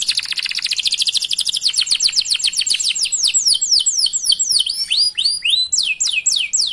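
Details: Canary song meant to prompt other canaries to sing: an unbroken rapid trill of high notes that slows into repeated downward-sweeping whistles, sung continuously and loudly.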